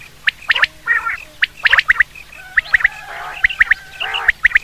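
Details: Common quail (batir) calling, a sound used for hunting: short, sharp whistled notes in quick groups of two or three, repeated about once a second, with softer gargling, squawky chatter between the groups.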